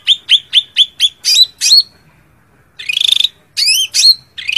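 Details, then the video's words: Rival-calling cak ranting gives a run of rapid, evenly spaced high chips, then rising whistled notes, a short silence, a buzzy rattle and more bright upslurred chirps. "suara cak ranting manggil lawan"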